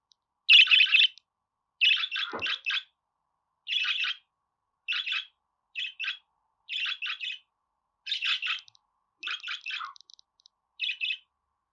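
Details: Budgerigar warbling: short bursts of harsh, chirpy chatter, each about half a second long, spaced roughly one to two seconds apart, with one low squawk-like dip early on.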